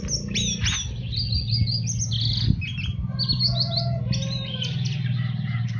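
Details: Orange-headed thrush song used as a master recording for training caged birds: fast varied whistled phrases, high sweeping notes and trills crowded together, over a steady low hum.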